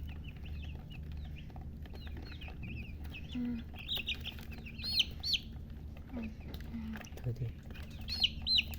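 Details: Baby chicks giving scattered high, downward-sliding peeps, some louder bursts later, with lower drawn-out tones, clicks and a constant low hum in the background.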